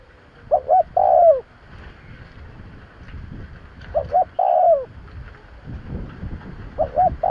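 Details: Spotted dove call played to lure wild birds: a short double note followed by a long, slightly falling coo, repeated about every three seconds over low background rumble.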